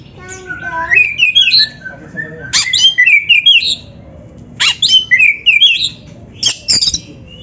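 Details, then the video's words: Oriental magpie-robin (kacer) in vigorous song, recorded for training captive birds; rising series of clear whistles climbing in pitch, then separate bursts of bright, bouncy descending whistled phrases with short gaps between. "PANCINGAN SUARA KACER GACOR untuk latihan‼️100% ampuh bikin KACER NARUNG BUKA EKOR DIGANTANGAN"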